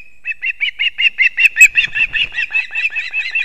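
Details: In Kurzeme, Latvia, an osprey family at the nest at dawn on 3 September 2024, the male bringing two fish to the chicks. A drawn whistle leads into a fast, even run of high chirps that peaks midway, then fades slightly.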